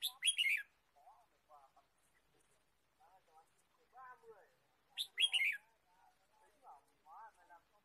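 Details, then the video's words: Forest recording of a red-whiskered bulbul during bird trapping, 23 March 2017. Two clusters of shrill, rapid chirps come about five seconds apart, with quiet voices murmuring in between. "Red-whiskered bulbul Chirping"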